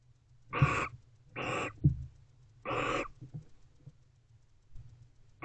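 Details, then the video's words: A mated pair of barn owls in a nest box near midnight, expressing affection. Three short, rough, hissy bursts in quick succession, followed by softer faint rustles, over a steady low hum. "Barn Owls #AvaAndBeau Expressing Affection, Varying Vocalizations."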